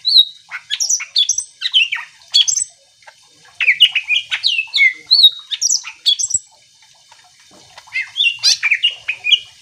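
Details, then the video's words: Greater green leafbird singing vigorously to make other leafbirds answer: dense, varied phrases of squeaky chirps and clear slurred whistles delivered in three long rapid bursts with brief pauses. "Cucak ijo gacor AMPUH bikin burung mu langsung emosi ikutan bunyi"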